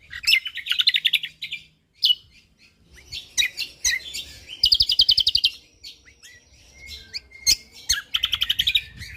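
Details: Lombok white-eye singing in full 'gacor' manner: successive rapid buzzy trills with clipped chirps and thin sustained whistles between them, lively and tightly packed.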